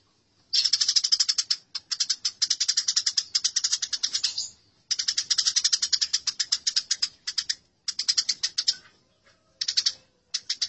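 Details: Aggressive chatter of house sparrows fighting, used as tutor material for birds: extended bursts of fast, scratchy chirps with short breaks, ending in a few separate clipped clusters.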